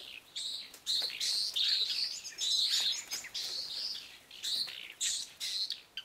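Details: In the morning, a White-rumped Swift at its nest under a house's eaves (taken over from lesser striped swallows, possibly already incubating) gives a screaming display, shrill buzzy trilled screams in bursts, warding off other swifts trying to enter.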